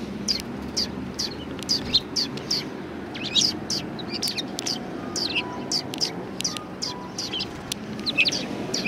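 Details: A flock of sparrows comes for food at a Tenmangu shrine in March 2020. Their dense, high chirps overlap almost constantly, sharp and twittering, with a faint hum and distant murmurs underneath.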